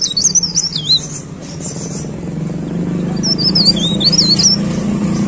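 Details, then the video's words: Two short bursts of high, wavering leaf warbler song separated by a pause, with a steady low rumble underneath. "CIKRAK DAUN GACOR"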